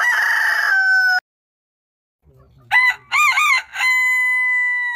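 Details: Rooster of a heritage chicken breed crowing. A held tone ends the first crow, then a new crow of rapid, bouncing, arched syllables leads into a long, pure, whistle-like sustained note.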